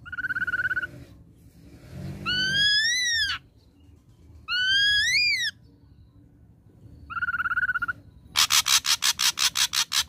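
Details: Ashy drongo song played as a lure to provoke a reply: quavering trilled whistles, two rising whistled notes that drop sharply at the end, and a closing run of fast harsh rasping bursts.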